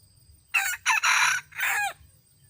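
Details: Loud crow of a red junglefowl recorded in 2018, in four parts: a sharp first note, a short second, a long raspy sustained phrase, and a closing syllable that slides downward. There is faint low background rumble.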